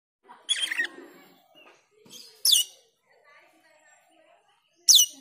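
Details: Black-winged myna calling, with ngriwik and teler call styles, used as a lure to train pied trillers: a buzzy rasping burst, then two sharp harsh descending screeches spaced about two seconds apart, over quiet background.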